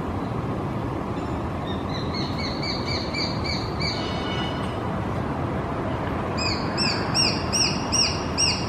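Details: Japanese sparrowhawk (Accipiter gularis), juvenile call.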